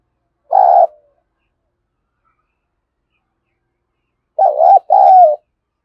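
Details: Fight-provoking call of a spotted dove with a deep earthy voice: one short low coo, a long silence of over three seconds, then a stuttering double coo with a slight upward flick at its end.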